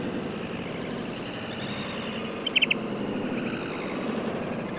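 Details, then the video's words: Juvenile pied avocet at the edge of the Suscinio marsh, Morbihan, France, on 23 June 2022, gives three quick, clear, fluty notes in a brief burst midway over steady rumbling background like wind or distant traffic. "AVOCETTE Élégante/Été/Juvénile"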